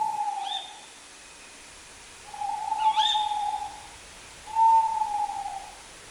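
A tawny owl gives three long, low, hollow hoots, each drawn out over a second or more, with brief thin whistles from another bird in the background.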